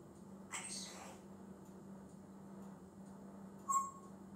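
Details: Male African grey parrot that talks, keeps learning new words and makes many different noises: a soft, breathy, whispered utterance early on, then a short clear whistle near the end, over a steady low hum.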